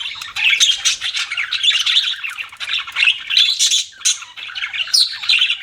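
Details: Steady chatter of pet budgerigars: rapid squawky chirps and warbled notes tumbling over one another without pause.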